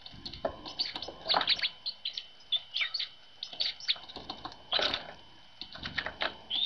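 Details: Tits arriving at a feeder early on a winter morning after a cold night; dense bursts of short high chirps and twittering notes, overlapping and irregular, with soft clicks and taps between them.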